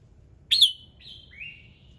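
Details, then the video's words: A red-whiskered bulbul's morning song, meant to spur other birds into singing: one sharp, bright note slides down into two longer whistled notes, the second lower and slightly rising, with a faint low rumble beneath. "Chào Mào Hót Sáng Nhiều Âm Hay"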